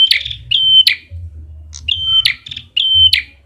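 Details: Red-headed prinia lure call: loud, high whistled notes, each a short flat tone opening with a sharp, buzzy burst. Notes come in pairs, about one every half second, over a low background rumble.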